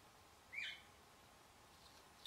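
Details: In a group of least sandpipers scurrying along a pond edge, one gives a single short, high, slurred note, followed near the end by a faint, sharp chip over a soft, steady hiss.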